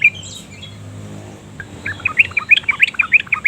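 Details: A yellow-vented bulbul (Pycnonotus goiavier) opens with a single note, then breaks into a fast, bubbly run of bright chirping notes, about three a second, over quiet hiss; song used to lure other bulbuls into singing.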